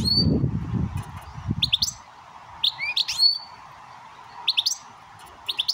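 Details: A European goldfinch gives bright, tinkling twitters in short bursts every second or so, teaching a young siskin x canary mule; a steady low hum runs underneath, with a brief rumble at the start.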